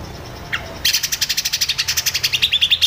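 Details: Cucak jenggot singing as a master for training songbirds: one brief high note followed by a sustained rapid series of about twenty sharp, evenly pulsed chattering notes.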